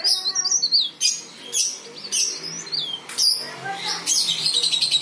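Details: Leaf warbler in vigorous song used to coax other leaf warblers into singing; continuous high, quick twittering phrases with sharp chirps and swooping whistled notes throughout.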